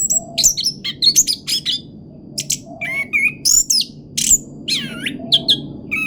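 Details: Orange-headed thrush singing a 'pancingan roll' style song: varied loud whistled phrases, sharp rising and falling notes and short buzzy bursts in quick, irregular succession, over a steady low hum.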